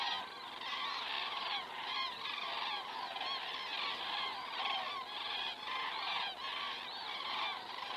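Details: Evening overflight of common cranes in Estonia, 19 September 2017, 19:10, from a crane camera: a steady wall of many trumpeting voices overlapping, with brief rhythmic swells and no other sounds clearly heard.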